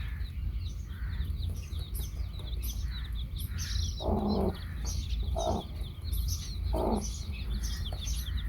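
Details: Baby chicks with a hen: many high, thin, downward-sliding peeps overlap continuously, while three louder, broad clucking bursts come at about four, five and a half and seven seconds over a steady low rumble.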